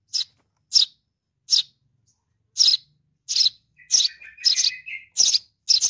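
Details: Nestling sparrow calling for its mother: spaced high shrill chirps that quicken toward the end, overlapped by a longer, lower buzzy trill.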